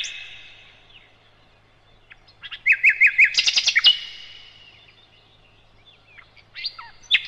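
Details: A flycatcher, identified as a nightingale (sikatan londo) and used as a master song for training other birds, sings a quick burst of high, sweet notes: a fast rippling run, then a few sharp, separate whistles with quiet pauses.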